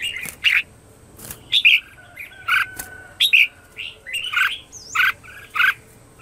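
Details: Red-whiskered bulbul singing in the morning, a lure to call wild birds; short bright whistled and warbled notes given singly or in pairs at irregular intervals, with sharp clicks between them and a faint steady hum behind.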